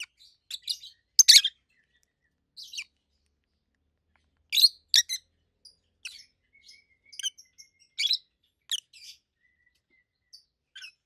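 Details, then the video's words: Adult captive rosy-faced lovebirds, red-head green opaline and white-head pallid aqua opaline, making scattered sharp high chirps and shrieks separated by pauses, with thin faint twittering in between. "Rosy-faced Lovebirds Call Sounds"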